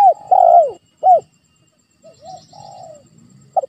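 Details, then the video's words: A spotted dove, recorded as a lure call to prompt quiet doves to answer, gives low, soft coos: a longer drawn coo, a short one, then a fainter falling phrase and a brief final note. "Tekukur Dirumah Malas Bunyi??? Putar Suara Pancingan Ini"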